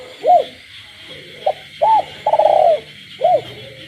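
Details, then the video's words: Night-time cooing of a caged spotted dove in a village setting. Arched low hoots and a clipped note precede a long burring coo, then another arched hoot, over a constant frog chorus. "cu gáy trong đêm, cu nuôi avi gáy ban đêm hòa cùng tiếng ếch nhái"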